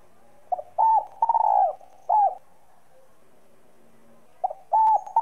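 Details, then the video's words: Spotted dove giving a 'giọng son' coo meant to stimulate other doves: a short note, a level coo, a long vibrating coo, a drooping final note, then a pause before a new phrase starts with quick lead notes. "cu gáy giọng son gáy gọi kích bổi căng lửa"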